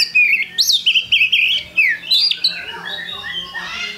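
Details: Energetic Oriental magpie-robin song used as pancingan: loud fluty whistles with rising and falling slurs in a rapid, continuous sequence, fading to quieter twittering during the last second and a half.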